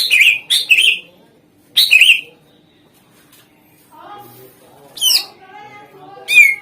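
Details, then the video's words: Greater green leafbird lure song to prompt answering birds: three loud chirpy bursts, a quiet gap, soft low warbling, then two sharp downslurred notes. "Suara Pancingan Cucak Ijo Gacor"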